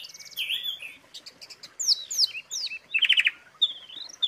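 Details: Jalak suren filler material for training: thin clicks and ticks, then a run of three loud descending whistled slurs, a brief buzzy trill and scattered lighter chirps over faint background hiss.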